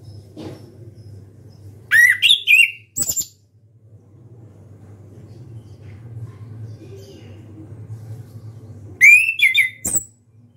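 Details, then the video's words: An orange-headed thrush sings loudly with open beak, giving two bursts of rich, varied whistles mixed with scratchy notes about seven seconds apart, over a low hum; recording is meant for birds in high breeding condition. "ANIS KEMBANG SUARA KERAS BUKA PARUH"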